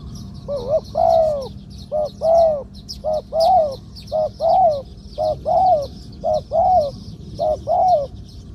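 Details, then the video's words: A steady run of spotted dove song, six paired phrases each of a short quavering coo and a longer rounded coo, medium-pitched 'two kuk, khu-ang' style, from a bird judged worth keeping as a ground decoy; faint chirping behind. "2 กุก คูอ่าง คารม เสียงกลาง ตัวนี้น่าเก็บทำนกต่อครับ นกเขาใหญ่ต่อดิน เสียงนกเขาใหญ่"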